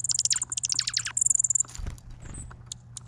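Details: A chickadee close by at a Vancouver Island feeder chirps loudly: a rapid run of high, downward-sweeping notes, then a short buzzy high trill, followed by a soft thump and scattered ticks.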